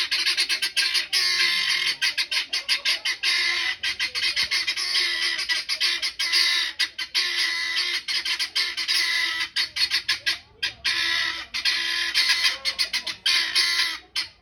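Helmeted guineafowl cackling in a harsh, rapid, grating chatter of repeated squawks, nearly nonstop with brief pauses.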